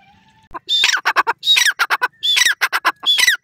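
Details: Grey francolin call: loud, harsh, ringing notes given in rapid repeated bursts, each group a run of strident squawking syllables with a sharp rising whistle-like note inside, about four bursts.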